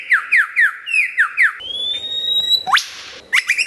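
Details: Loud, clear lyrebird song meant as a tutor for cage birds: a run of six falling whistles, then a long flat high whistle, a rising sweep with a noisy burst, and quick chirps.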